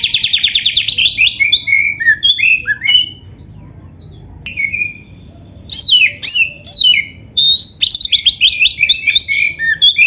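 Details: Kacer, the oriental magpie-robin, in gacor full isian song: fast trilled bursts of repeated notes alternate with sweeping whistles and short pauses, with the phrases coming back again and again over ten seconds.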